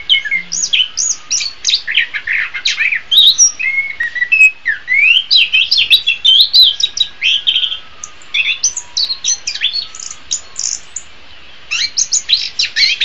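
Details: Orange-headed thrush, recorded as a training song for other songbirds in the morning or afternoon: a long, energetic medley of high chirps, downslurred whistles and buzzy trills, phrases tumbling one after another with a few brief gaps.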